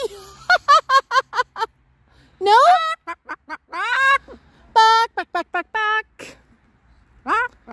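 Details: Pet Moluccan cockatoo visiting a park in summer, making joyful sounds: quick runs of short, harmonic barking notes repeated several times a second, broken by longer rising squawks, with a person's voice in between.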